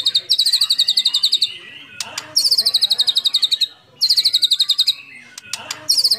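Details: White-rumped shama in full song, used as a lure to set other shamas singing: loud bursts of rapid, evenly repeated high whistled notes, each burst about a second long, broken by short pauses and a few sharp clicks.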